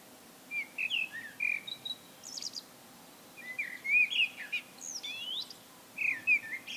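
A Common blackbird sings three unhurried phrases of rich, fluty warbling. Each ends in a thin, squeaky twitter, with quiet pauses between phrases.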